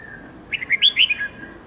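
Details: Red-whiskered bulbul song for training young and white-cheeked birds: a faint held whistle, then a quick warbled phrase of five or six clear notes, rising and falling.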